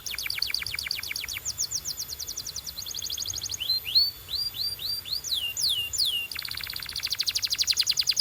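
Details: Canary training song: several rapid trilled tours, a run of slower rising whistled notes with falling sweeps, then a very fast buzzy trill, over a steady low hum.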